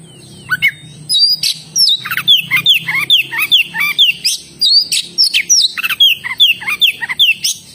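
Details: Oriental magpie-robin singing continuously: a busy run of sharp, slurred whistles and chips, many dropping or rising notes in quick succession, with a steady high electrical tone in the background.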